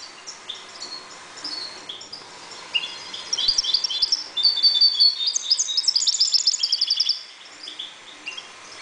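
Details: A calm European goldfinch breeding in a 1.20 m cage gives sparse high chirps, then a rich, rapid warbling twitter for about four seconds, tapering back to single notes.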